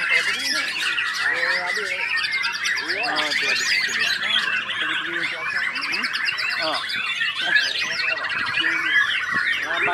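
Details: White-rumped shama (murai batu) in a bird-keeping setting, at first not singing in full, later singing hard: dense, fast, varied whistled and chattering phrases in layers throughout, with buzzy trills and lower warbled notes beneath.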